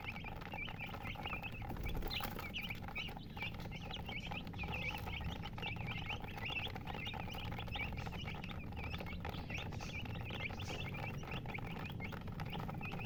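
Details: A long stretch of chickens chirping, colored hens, with soft but steady high peeps from a group of birds, under low rumbling noise and scattered clicks.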